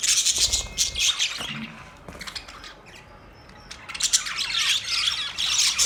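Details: Budgerigars chirping: dense bursts of scratchy, squawky high chirps and warbles that fade to a quieter stretch mid-clip, then return, with a few soft low thumps early on.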